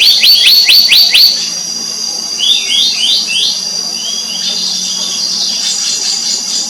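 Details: A family group of black-naped monarchs: a rapid run of high, sharp down-slurred notes at first, then softer, lower slurred calls in quick groups, over a steady high-pitched drone that persists throughout.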